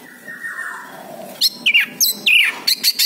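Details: Orange-headed thrush song for prompting a bird that has gone quiet: a faint descending buzzy note, then a string of sharp, loud, looping whistled chirps spaced irregularly, roughly one every third of a second.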